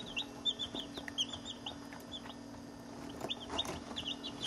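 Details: Chicks about a week to ten days old, eighteen in a chick box including barred rocks, silver laced wyandottes, blue copper marans and Isa reds, peeping constantly with soft high cheeps overlapping, plus light scratching and bumping sounds.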